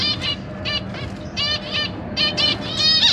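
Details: Zebra finch family in a big cage, adults feeding three juvenile and three newborn young, 12 September 2023; quick nasal honking calls about every half second, some doubled, against a low background hum.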